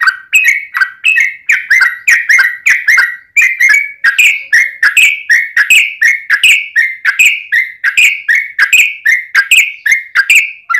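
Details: Bulbul lure song, yellow-vented bulbul in long 'ropel' fighting style played to make other bulbuls sing: a steady, dense stream of bubbly, chattering notes for about eleven seconds without a break.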